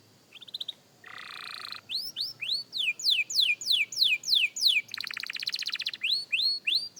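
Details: Young canary practising its song: a brief whistle, then a buzzy trill, then a long run of repeated down-slurred whistled notes, a rapid rattling trill, and rising upslurred notes to finish.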